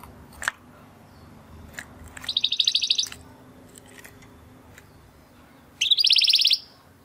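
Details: Timbrado Español canary, a male born in 2020 from rated parents, in a training song: a few faint clicks, then a fast buzzy trill of about a second, a pause, and another rapid trill.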